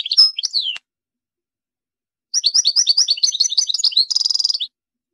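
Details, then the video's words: European goldfinch singing: a short twittering burst, a pause, then a fast run of high liquid chirps and trills ending in a dense buzzy, metallic rattle. "اروع تغريد الحسون - Meilleur Chant Chardonneret"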